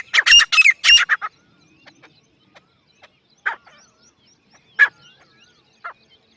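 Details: Grey francolin (teetar), a local desi bird: a loud burst of harsh, grating, rapidly repeated notes in the first second, then quieter scattered calls at intervals over a silent background.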